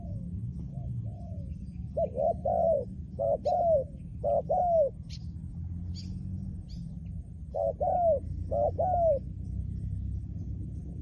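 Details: Trained decoy spotted dove singing: mellow, low cooing notes grouped in short bursts of two to three, each note swelling then falling, with gaps between phrases and faint high ticks in the background.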